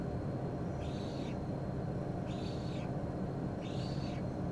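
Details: A Eurasian spoonbill chick in Hungary in May begs for food with three hoarse, wheezy, slightly arching calls about every one and a half seconds, over a steady low rumble.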